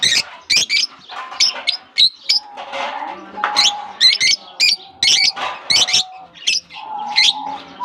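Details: Lovebirds released into a colony aviary in Germany in warm summer weather, exploring and interacting; sharp, harsh chirps in quick bursts, several birds overlapping, with a steady whistled tone now and then.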